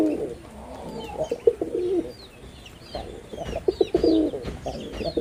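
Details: Red-bordered wild pigeon, a male performing in Bangladesh, gives low bubbling coos in two long runs, while thin high twittering from other birds carries on throughout.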